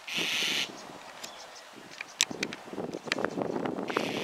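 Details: White-cheeked starling in Higashi-Ayase Park on 28 May 2020, calling repeatedly with a lizard in its bill: a harsh, grating half-second screech, scattered clicks and chirps, then another rasping note, over faint background rumble.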